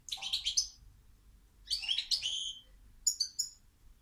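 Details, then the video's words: European goldfinch song in three bursts of dense, liquid twittering and bright metallic notes, the last phrase higher and more tinkling, over a low background hum. "Goldfinch Song"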